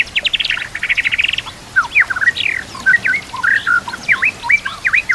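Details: Training song of a white-rumped shama laced with kapas tembak and cililin canary phrases: it opens with a dense fast trill, then breaks into separate swooping whistles and sharp V-shaped notes.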